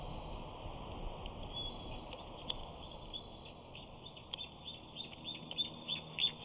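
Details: Young eagle squealing near the nest while trying to get in to claim a fish. A rapid, uneven series of faint high peeps and short whistles sounds over a steady low rumble of background noise.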